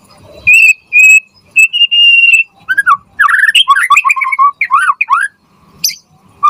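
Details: Energetic white-rumped shama singing as a tutor recording for other shamas: several steady high pure whistles followed by fast warbling, slurred up-and-down notes.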